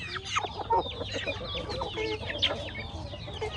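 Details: Close-up flock of farmyard chickens feeding on corn, producing busy overlapping clucks and high downslurred peeping notes, steady and loud across the whole stretch.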